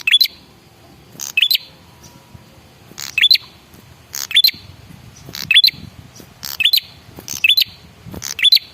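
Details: Red-headed prinia, male, lure call meant to provoke replies: rasping chip clusters with a short high whistled upslur, repeated at uneven intervals of one to one and a half seconds.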